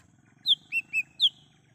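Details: Wild lesser green leafbird song, recorded as a lure for calling birds: one crisp four-note burst of sharp falling whistles framing two lower clear notes, against faint low background noise.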